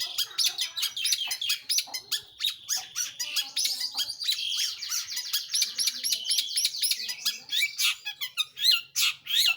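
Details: Long-tailed shrike in full, energetic song: a dense, unbroken stream of rapid chattering, squeaky and scratchy notes, varied and high-pitched throughout.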